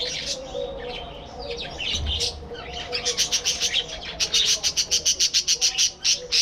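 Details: Budgerigars in a breeding colony aviary: busy chirping and warbling chatter from several birds, ending in a fast run of sharp repeated clicks or chips about four per second.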